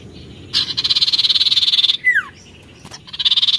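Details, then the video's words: Oriental magpie-robin delivering a long harsh pulsing rattle of about twenty fast beats, a sharp falling whistle, then the rattle starting again. "SIRTU GACOR NARUNG"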